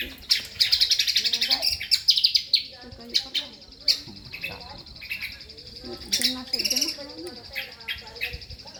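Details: Kombok singing its full repertoire ('full materi'): dense, rapid high chirps and twittering phrases, buzzy bursts and quick trills repeated several times a second, with some softer lower warbled notes in between.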